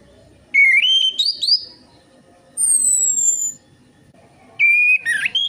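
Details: Orange-headed thrush song played to prompt a bird that rarely sings: rising whistled phrases in steps, a thin falling high whistle, then another whistled phrase ending in a rough burst.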